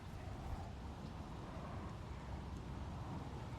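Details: A steady low vehicle rumble dominates, with no animal voice heard.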